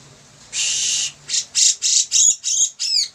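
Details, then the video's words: Bearded bulbul in vigorous song, recorded as a tutor for birds: one long buzzy rasp, then a rapid series of shorter harsh notes, the last ones ending in downward-sweeping tails. "Cucak jenggot gacor, cocok untuk masteran"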